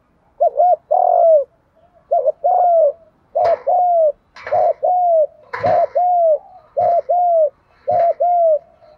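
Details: Spotted dove decoy bird for trapping, in the 'giọng thổ pha' style: a steady series of about eight paired coos, short note then long hoot, roughly once a second, punctuated by sharp clicks and knocks.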